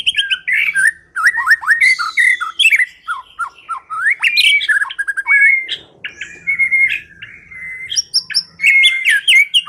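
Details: White-rumped shama song used as a lure to make a quiet bird start singing. Loud, rich whistles and sharp downward slurs run into squawky chatter, then long level whistled notes and high twittering phrases.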